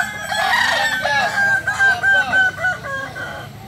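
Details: At a rehearsal for a Kukuak Balenggek crowing contest, where the bird crowing most often wins, a loud rooster gives a string of terraced crow notes, each a clipped arch, about four per second, over a murmuring crowd.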